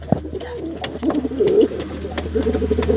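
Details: Brown male domestic pigeon cooing to call its female: low, throaty, rolling coos swelling in two bursts, with scattered clicks and light shuffling in a small room.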